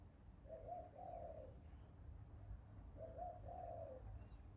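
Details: Bird cooing twice, each phrase a quick short note followed by a longer mellow hollow one, against a steady low rumble.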